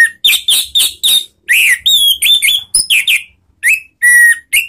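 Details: Orange-headed thrush lure sound used to trigger singing, in the loud ngeplong style: a dense run of clear whistled and warbling phrases, mostly bright mid-to-high notes, delivered in quick bursts with short pauses and no background noise.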